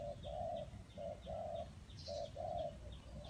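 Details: Spotted dove recorded at a bird trap in Ninh Thuận. Paired low coos, short then long, repeat about once a second over steady background hiss, with faint high bird chirps.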